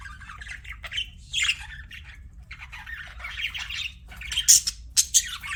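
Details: Budgies as pets giving chirps and squawks: drawn-out raspy chatter rising and falling, then a few loud clipped shrieks toward the end over a low steady hum.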